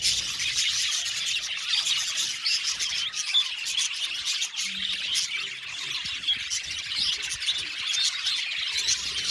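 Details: Many aviary budgerigars chattering together, a constant high twittering mixed with occasional harsher squawks, the crowded chorus holding at an even level across the whole stretch.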